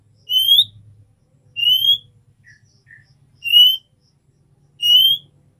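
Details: Female oriental magpie-robin calling the male, meant to raise his breeding urge; four bright, upslurred whistles about every one and a half seconds, with two soft, short notes between them and a low background hum.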